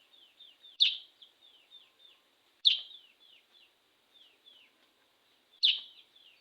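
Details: Caged sooty-headed bulbul singing vigorously after bathing: short, clear whistled notes slurring downward, given in quick loose runs, broken every two to three seconds by loud sharp clattering bursts.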